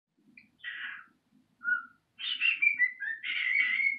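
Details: A young male pet cockatiel, described as a baby bird and back to his old self, mixes scratchy, raspy chatter with short clear whistles, some notes sliding up and down.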